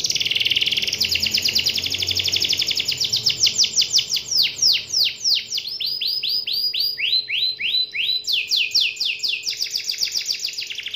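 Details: Canary singing hard to call a rival, opening with a buzzy rolling trill, then a series of sweeping notes repeated several times a second that shift pitch and speed through the phrase.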